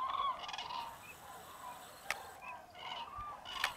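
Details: Hundreds of common cranes waking at a massive winter roost in Tablas de Daimiel National Park, Spain, on a freezing, foggy mid-January dawn; overlapping trumpeting calls with rich harmonics, a sharp click near two seconds, greylag geese and teal also present.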